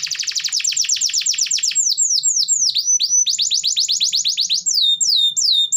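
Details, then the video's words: Canary singing energetically, offered as a lure for canaries reluctant to sing: a rapid high rattling trill that slows into looping, swooping whistled notes and then quickens again, continuous throughout. "Pancingan Suara Burung Kenari Gacor || Cocok Untuk Terapi Kenari Malas Bunyi"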